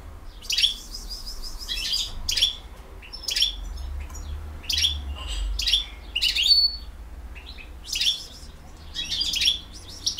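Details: European goldfinch, a bird from BiH, singing in the campero style: short bursts of bright, buzzy, twittering notes repeated with pauses, over a low steady hum.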